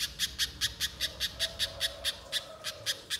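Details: Banana spiderhunter lure recording: evenly spaced, crisp rasping chips, about two and a half per second, each a short broadband burst, with a soft low tone drifting underneath midway.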